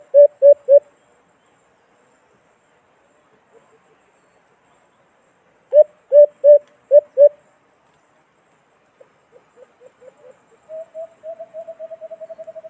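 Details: White-eared brown dove, alimokon, calling as a hunting trap lure: low hollow hoots in quick bursts of three or four, with long pauses between and a faint softer rapid series near the end.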